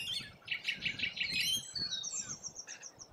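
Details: Feeding rainbow lorikeets in Australia keep up rhythmic, harsh chattering, several rasping bursts per second, topped by thin high whistled squeaks that trail off toward the end, over a faint low hum.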